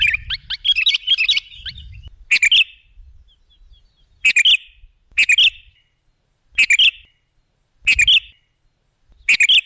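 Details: Sooty-headed bulbul recording used as a lure to attract other birds: an opening burst of quick chirpy notes, then short bright two-part phrases repeated about every two seconds with silence between.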